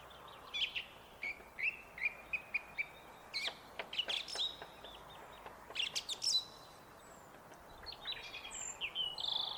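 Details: A song thrush sings on a foggy day near feeders: loud, varied phrases, repeating short clear notes several times before switching to sharp, ringing whistles, over a soft outdoor hush.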